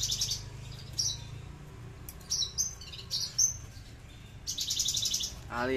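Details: Aliena-type Horsfield's bushlark, a tame kept bird that can sing up to 20 minutes without stopping, in a leci-like style; high trilled bursts alternate with clipped piercing chirps, then a brief lower rising sound at the end, over a low hum.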